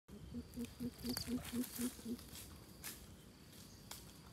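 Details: Coucal calling in the 'thiêm ku' style used as a lure: a rapid series of about eight deep, hollow hoots, roughly four per second, steady in pitch, then stopping, over rustling background and faint high insect tones.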